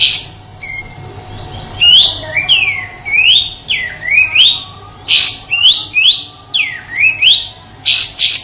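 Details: Sooty-headed bulbul in the rough 'tembakan kasar' style, sung as a tutor song for white-rumped shamas in Indonesia. Swooping V-shaped whistles that dip then rise repeat about once a second, mixed with sharp high chirps, above a low steady hum.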